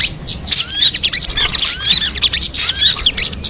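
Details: A crested jay utters a quick, busy sequence of high chirps and gliding whistles, some notes sweeping up, with a softer mellow slur beneath.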